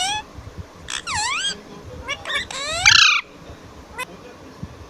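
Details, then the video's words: A pet talking Indian ringneck parakeet (rose-ringed parakeet) saying "mummy" gives a run of shrill, bending whistled syllables and harsh squawks, like a bird imitating a word, over a quiet room background. "mummybolne wala mittu"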